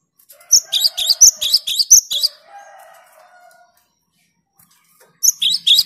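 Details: Lively, clear gelatik batu (cinereous tit) song meant to agitate rivals: a fast string of piercing high doubled notes, then a faint lower hum as the singing pauses, and a fresh burst of the same phrases at the end.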